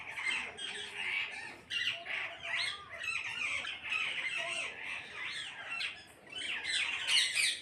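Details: A flock of parrots calling together: dense overlapping harsh squawks and screeches, continuous chatter with rising and falling notes throughout.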